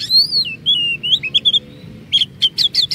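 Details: Oriental magpie-robin song used as a lure to make other magpie-robins sing long rolling phrases: clear whistled notes sliding between high and mid pitch, followed by a burst of sharp rapid clicks and chips.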